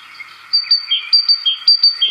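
Great Tit giving bright, ringing two-note phrases, a high note dropping to a lower one, repeated about every half second over faint background hiss.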